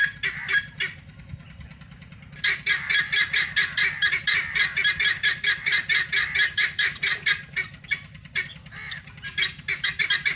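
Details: Foraging free-range helmeted guineafowl: a few scattered harsh notes, a pause, then a long, rapid volley of rasping cackles that stutters and breaks before resuming, with a low background rumble throughout.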